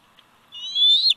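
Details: Nest-cam audio of a 104-day-old bald eagle eaglet in Big Bear Valley, 27 July 2019: one loud, drawn-out, high squealing whine that slowly rises and ends in a brief sharp flick, preceded by near silence.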